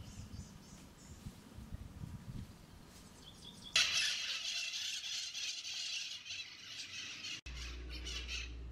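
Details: A timid Nanday Conure at its nest in a tree cavity during nesting season, recorded with an unattended camera on a tripod. A quiet stretch of low background rumble is followed by a loud, harsh, grating squawk lasting several seconds.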